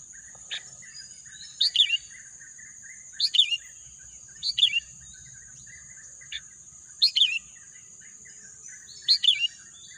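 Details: Six sharp chirping phrases from a bird, spread unevenly over ten seconds, each a quick two- or three-note drop. A continuous high thin drone and soft background bird twitters accompany the song.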